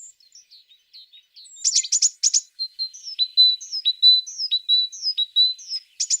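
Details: Soft, thin high notes open, then a burst of sharp clicking chirps, followed by a steady series of clear whistled notes that dip and rise, repeated about every half second, from a singing tit.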